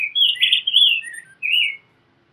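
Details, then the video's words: Rose-breasted grosbeak singing, a short burst of rich warbled whistles sliding between high and middle pitch, then a brief pause and one more slurred rising phrase. "Rose-breasted Grosbeak Singing - Degollado/Picogrueso Pechirrosa Cantando"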